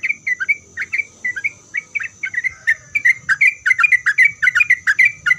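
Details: Sooty-headed bulbul in lively song meant to provoke other bulbuls into answering: short bubbly notes, each rising then falling, delivered in quick irregular bursts, about two and a half per second, with a steady high electrical whine behind.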